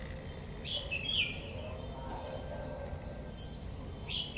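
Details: Cold-weather (11 °C) song of a caged Japanese white-eye, 'họa kép' double style with 'líu thung' phrases: thin, high, slurred chirps and a few buzzy twitters, spaced in two groups, with steady background noise.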